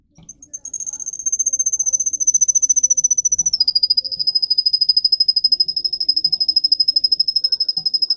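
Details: Russian singing canary tutoring young birds. After a few soft starting notes, a very high, rapid pulsed trill begins. It drops to a slightly lower pitch midway and continues evenly, with faint background sounds.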